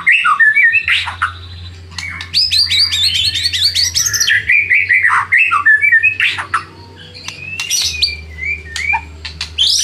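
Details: White-rumped shama song used as a lure to provoke rival birds into singing back: loud, rapidly varied whistled phrases, chattering notes and sliding high notes that tumble without pause, over a steady low electrical hum.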